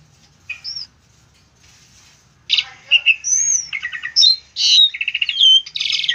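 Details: Asian pied starling song used as a master recording for training other songbirds: after two seconds of near silence, a burst of varied whistles, harsh chatters and rapid repeated notes, some clear upslurred whistles and buzzy trills.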